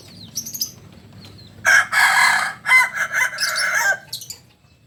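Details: A native Solok Kukuak Balenggek chicken gives a loud, rich crow broken into about five linked syllables over roughly two and a half seconds, with brief high chirps before and after.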